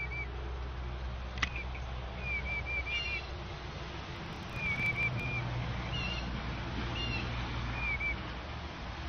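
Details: Young eastern bluebird giving a warning call at a starling after divebombing it, a hawk possibly nearby, caught by a bird camera; short clear whistled notes, some in quick pairs or runs, recur every few seconds over a steady low hum.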